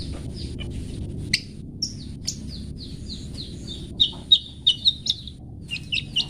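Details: Long-tailed shrike singing, for pet-bird training: quiet opening ticks, then a run of thin downslurred whistled notes growing louder, ending in a few brighter closely spaced notes.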